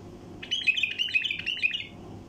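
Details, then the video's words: Flight call of a wild bulbul, meant to attract migrating bulbul flocks: a bright, rapid string of clipped chirps and buzzy trills lasting about one and a half seconds, level in pitch, with quiet room hum beneath. "طياريات بلبل وحشي لفتح البلابل القافله"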